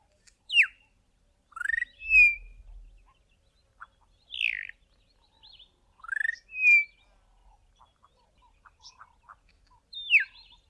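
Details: A juvenile Bokmakierie learning to sing babbles loose, varied practice whistles: falling and rising slurred notes and short chirps every second or two, with faint soft notes between, now and again coming close to the adult call.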